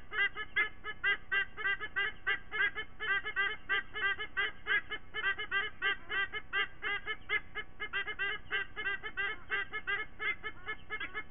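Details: White-bellied sea eagle parents at a nest in Sydney, September, calling together in the morning with their eaglets joining in; rapid honking squonks with a nasal, goose-like tone, about three notes per second, steady and overlapping for the whole stretch.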